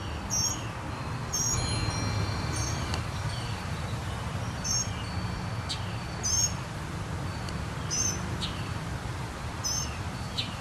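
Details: A Northern Mockingbird sings in early summer, just before the solstice, giving high, sharp, chirping phrases about every second or two, each burst varied, over a steady low rumble of wind or distant traffic.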